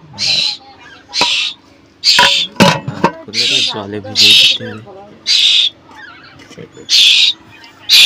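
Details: Hungry Asian koel chick, hand-raised in a pigeon cage, shouting for food as a person prepares its meal: harsh, raspy bursts repeated about once a second, with a man's voice talking in between.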